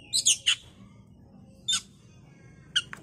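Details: Oriental magpie-robin bait recording meant to make a bird agitated and start singing: three loud, harsh, scratchy bursts in quick succession, then a single rasping note after a pause and two more near the end, over a low indoor hum.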